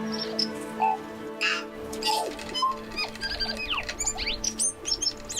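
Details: Tui, a symbol bird of Aotearoa, greeting arrivals at a campsite cabin on New Zealand's South Island, about an hour's drive from Milford Sound; a varied run of clear whistles, sharp clicks and swooping high notes over a steady low hum.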